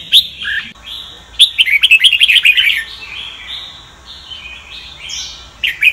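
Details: Sông Kon red-whiskered bulbul, a cage bird, singing for voice training: a fast burst of rapid chattering notes, then drawn-out whistled and slurred phrases, with a loud chirpy passage returning at the end.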